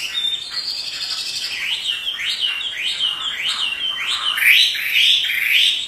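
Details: Pet Chinese hwamei in full voice while dancing, delivering a series of sharp rising-and-falling whistled notes in quick succession, growing louder and brighter toward the end.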